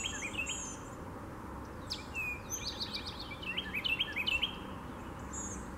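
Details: Eastern Towhee at Ocmulgee National Monument on April 4, 2015, singing a sharp downslurred note, then a quick run of bright notes ending in a fast trill, with Northern Cardinal and Blue-gray Gnatcatcher also audible over a steady low rumble.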